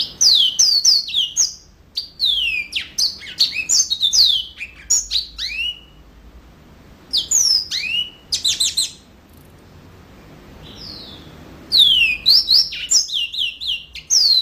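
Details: Energetic yellow-fronted canary song in several bursts: rapid high chips and downward-slurred whistles strung together, separated by short silences, with a soft fluttering passage in the middle; no other sounds stand out.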